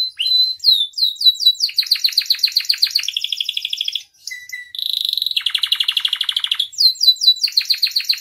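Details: Canary masteran and pancingan, singing gacor with full isian: repeated downslurred whistles about three per second, then long fast trills and rolls changing pitch, a brief low whistle, and more whistled slurs.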